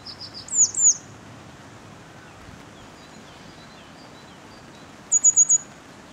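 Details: Grey wagtail singing in winter in Clare, Suffolk, East Anglia, a bird that here favours roofs: sharp high chirps open the phrase, then a pause, then a quick burst of four thin high notes over steady background hiss.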